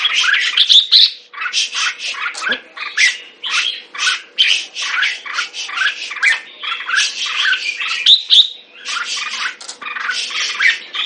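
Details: Red-whiskered bulbul in sustained, loud song of rasping, squawky syllables repeated rapidly, punctuated by a few high clear whistles near the start and later, over a steady low hum.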